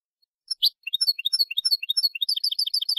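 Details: Malagueño-style European goldfinch song used to tutor young birds: a couple of sharp opening notes, then a steady series of bright, high twitters that speed up into a fast, tinkling run.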